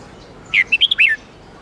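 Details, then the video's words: Red-whiskered bulbul song of the 8-9-10 note twisting style used for daily training of caged birds: a quick run of about five clear whistled notes, rising and falling, over faint background hiss. "Luyện giọng chào mào hót âm 8-9-10 xoắn tít cực hay"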